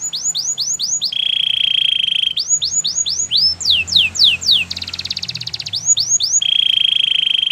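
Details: White canary singing a training song. Bright series of fast upward-swept whistles alternates with steady buzzing trills and rapid rolling passages, loud and continuous throughout, with a faint low hum behind.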